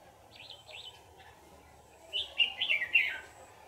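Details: Wild Red-whiskered bulbul, a mature bird caught in a trap and later released, giving short bright warbled phrases: two looping whistles early, then a louder burst of rich chattering notes near the end over low background hum.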